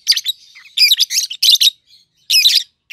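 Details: Captive pair of young peach-faced lovebirds, red-headed green opaline and red-faced dark green, uttering dense, rasping, high chattering bursts that run almost continuously, broken by brief pauses.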